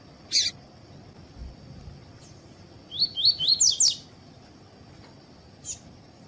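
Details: Double-collared seedeater tuí-tuí song meant to stimulate other birds to sing. A single sharp click, then a burst of about seven high, quickly slurred notes, with a faint tick afterwards over a steady hiss.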